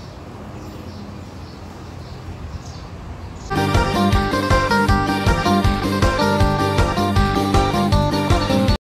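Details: Quiet background hiss for a few seconds, then rhythmic instrumental music with plucked strings and a steady beat takes over; no animal calls stand out.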